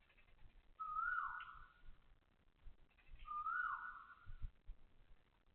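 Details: An Asian koel in Toa Payoh Lorong 8, Singapore, at 6:30am on 20 October 2025 gives loud, clear whistled notes that rise sharply then hold, two calls about two and a half seconds apart, over faint low background rumble.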